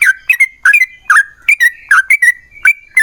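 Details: Short burst from a yellow-vented bulbul's long rapid song, intended to prompt singing by other bulbuls: full, warbled notes, some with sliding tails, grouped in pairs over three seconds.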